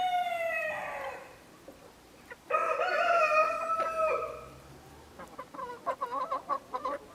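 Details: Araucana chickens of partridge colouring: the tail of one crow fades, then a second loud, wavering harmonic crow lasts about two seconds, followed by rapid clucking notes.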